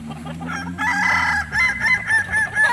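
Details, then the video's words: Rooster of the Kukuak Balenggek breed, native to Solok, West Sumatra: a loud crowing note followed by four or five quick repeated syllables in a bouncing rhythm, faint hum beneath. "Ayam kukuak balenggek akb ayam his asli solok sumbar"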